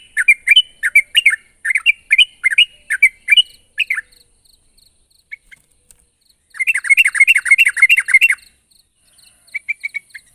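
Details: Vigorous sooty-headed bulbul calling out to a rival: a long stretch of quick, bubbly warbled notes, a near-silent gap with a few soft chirps, then another dense chattering burst and scattered short notes.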